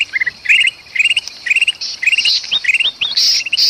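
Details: Noisy golden bulbul with a trapped bulbul in Sumatran forest, used to attract birds; short groups of rising, stepped chirping notes repeated about twice a second, ending in harsher rasping squawks.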